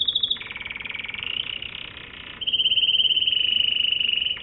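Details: American Singer canary delivering a fast pulsed roll, moving from a high trill into a lower buzzy rattling phrase with warbled notes, then a long bright high trill repeated many times per second.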